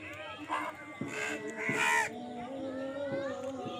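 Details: Crows fighting over food: harsh, broad caws with arched harmonic bands, several overlapping in quick bursts, amid steady background hum and a few other bird calls.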